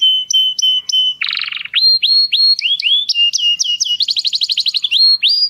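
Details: Male canary in mating song meant to stimulate breeding birds; clear repeated whistled notes, a brief buzzy burst, then rising upslurred chirps and a rapid high trill, all loud and close.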